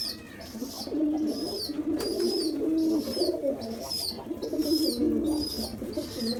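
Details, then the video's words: A hungry pigeon chick begs loudly after a big feed, giving thin, high squeaks repeated in quick bursts over a low, bubbling coo-like murmur. "Baby Pigeon Hungry After Big Feed Loud & Noise"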